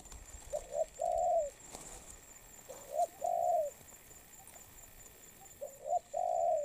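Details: Low hooting coos from a recently caught spotted dove in molt. Three phrases are heard, each a short soft note leading into a sustained round note, with pauses between.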